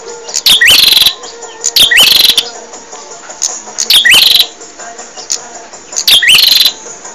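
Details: Bar-winged prinia singing for caged-bird training: four loud, high bursts of rapid chirps, each ending in a rising hook, spaced about two seconds apart.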